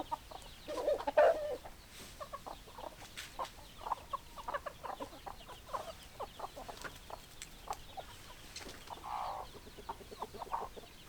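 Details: Hens clucking in a flock, many short low clucks scattered through the clip with a couple of louder drawn-out notes, over a steady background hiss.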